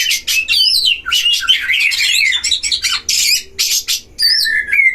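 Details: Dueling Oriental magpie-robins in a breeding cage, a lure for provoking other magpie-robins; harsh rasps mixed with fast whistled trills, then sparser notes ending in a clear, level whistle.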